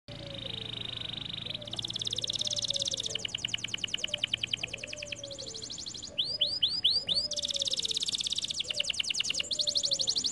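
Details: Canary (kenari gacor, an energetic singer) in full song: buzzy rapid trills alternating with a run of five quick upswept whistled notes near the middle, with a faint low sliding whistle repeating underneath.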